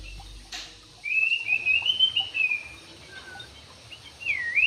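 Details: Javan pied starling giving a drawn-out, high, quavering whistle that drifts slowly downward, then a short swooping whistle, over a soft hiss.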